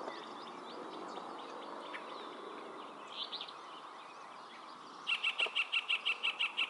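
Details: Male-unspecified Yellow-breasted chat in song at Springbrook Prairie, Naperville, Illinois, May 2021: a brief slurred whistle, then a rapid steady string of about ten identical short, sharp notes, with a constant background hum and faint other birds.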